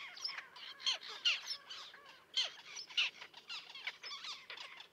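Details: A small common tern colony with chicks on a concrete block near a pier, 1.5 km offshore at Liepāja, Latvia, June 2024: many harsh, grating, overlapping calls, some sharp and squeaky, at an irregular pace without pause.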